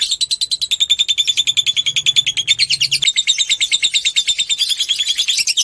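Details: Lovebird chattering in a ngekek trill meant to rouse other lovebirds: shrill, rapidly pulsed notes with a thin whistled tone running through them, sustained for the whole stretch, a faint low hum briefly beneath.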